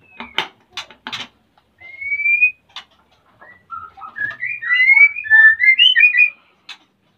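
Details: Captive-bred male white-rumped shama in breeding condition, Salaman, Magelang, Central Java, wanting to mate while the female builds her nest: sharp clicks open, then one long rising whistle and a rapid rich warbling run of whistled notes.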